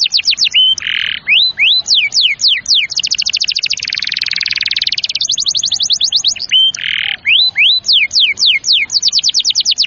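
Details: Canary song played to stimulate young or reluctant canaries to sing: fast series of descending whistled sweeps, a dense buzzy trill in the middle and short harsh rasping notes, continuous and loud.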